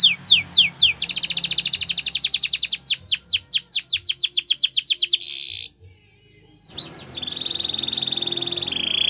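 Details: Canary training song with a long fast series of downward-sweeping notes, around four per second and quickening, a brief silence, then a smooth continuous rolling trill.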